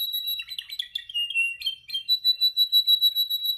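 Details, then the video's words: Canary during song practice: choppy mixed chirps and short buzzes, then a rhythmic trill of pulsed notes at a steady pace of about three a second. "Your canary sings immediately when he listens to this canary singing"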